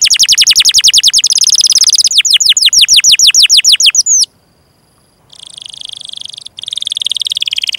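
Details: Long canary song meant for training young or silent canaries: a rapid loud series of descending sweeps, a brief pause, then a buzzy high rolling trill continuing steadily.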